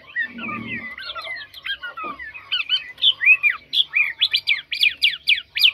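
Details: Caged Chinese hwamei, described as a strong singer without faults, giving a varied run of loud whistled phrases, slurred up and down, then ending in a fast series of sharp rising-falling notes.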